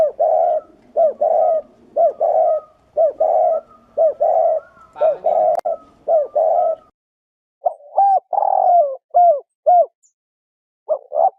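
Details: Spotted dove calling in the 'thổ rền' style, a decoy recording for luring doves: steady run of deep, rounded coos about once per second, a brief pause, then further clipped coos, clear and close.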